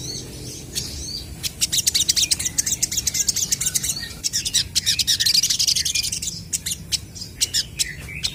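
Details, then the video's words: Crested jays answering each other in lively song: fast, rapidly repeated high clicks and chirps in bursts, rising to a busy chatter in the middle, then thinning to scattered sharp notes. "SOGON GACOR BERSAHUTAN"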